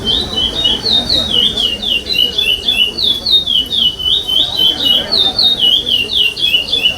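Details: Chestnut-bellied seed finch, the curió pardo song style without repetition, sung at a state singing competition; continuous run of whistled, sliding notes that dip and rise, phrases following each other about four per second, faint crowd murmur beneath.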